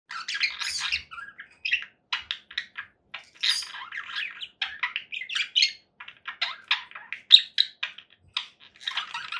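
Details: Conure parakeet calling in a long relaxation recording, harsh broadband squawks and chirps in rapid irregular bursts, mostly high-pitched, with short gaps between notes and no other clear sounds.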